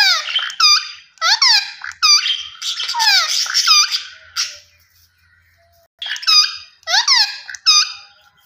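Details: Green ringneck parrot giving shrill, harsh screeches with strongly descending harmonic sweeps, delivered in rapid bursts of several calls, a short pause near five seconds, then another volley of the same piercing notes.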